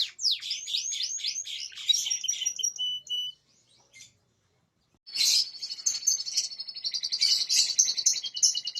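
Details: Canary song played as a lure to stimulate silent canaries to sing: fast, high, sweeping chirps and warbled phrases, a brief pause, then a dense, buzzy rolling trill with sharp notes scattered throughout.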